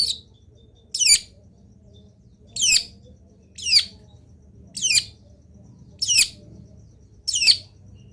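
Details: Long-tailed shrike, singing actively with varied fill-in phrases, recorded to make other shrikes sing: a string of grating, descending rasps every second or so, seven in all, with quiet hum underneath.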